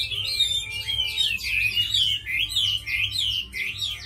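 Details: Tamed Chinese hwamei, described as a good fighter and fine singer, delivering a loud, varied song of rich whistled phrases that swoop up and down, quickly repeated, over a faint steady low hum.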